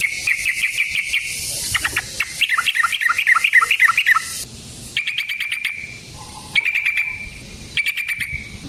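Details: Rapid rolling song of a sooty-headed bulbul, used as a lure to provoke other bulbuls into singing. Fast buzzy trills alternate with a burst of tumbling chattering notes, over a hissing background.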